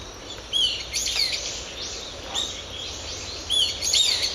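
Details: Several brown-eared bulbuls in woodland in an ecological park give harsh, shrill screeching alarm calls in several loud bursts over four seconds, over a steady background hiss.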